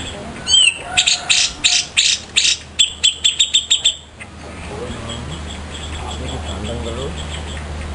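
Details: ['Grey-cheeked bulbul used as a master bird for song training: a rising whistled note, then loud ringing notes that speed into quick ticks. Quiet hum and faint background voices follow.']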